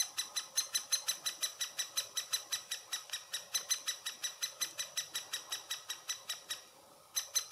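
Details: Great spotted woodpecker nest, Furuberget, Hamar, Norway, summer 2017, Panasonic Lumix FZ2000 handheld: a long run of sharp, rasping calls at a fast regular pace, about three per second, stopping for half a second near the end, then starting again.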